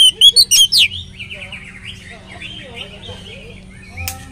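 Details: Oriental magpie-robin, recorded as a lure for other magpie-robins to sing along. A quick loud volley of five or six whistled notes opens, followed by a long stretch of soft, quiet warbling and a faint sharp note near the end.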